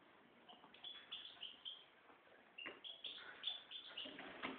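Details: A red mosaic white goldfinch mule twittering: a quiet start, then quick, uneven clusters of bright chirps and short slurred whistles building through the second half, several notes a second.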